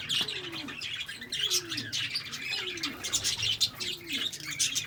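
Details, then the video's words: Constant shrill chirping from a group of lovebirds, with a soft lower descending note recurring about once a second underneath the busy high chatter. "LOVE BIRDS SOUND Relaxation|Bird Chirping sound"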